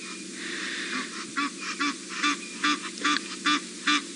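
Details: Egyptian geese alarm calling at a female leopard sitting close to a dam in the Sabi Sand, South Africa, on a live safari drive in August: rapid harsh honking notes repeated about twice a second over steady engine-like hum.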